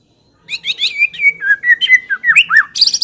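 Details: White-rumped shama of the Medan type, singing clearly to provoke other shamas into song: a quick run of varied clear whistles rising and falling, ending in a harsh, high rasping burst.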